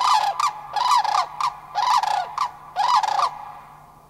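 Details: Three Sandhill Cranes, likely a family group, call back to cranes flying overhead in an Anchorage, Alaska park on May 1, 2011: four rolling, rattled bugling phrases about one per second, then fading to quiet.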